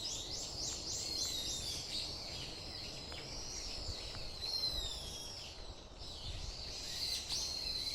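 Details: Birds singing at Iwashimizu Hachimangu shrine: a soft, busy chorus of high twittering and trilled phrases from several birds, with a quiet background hiss.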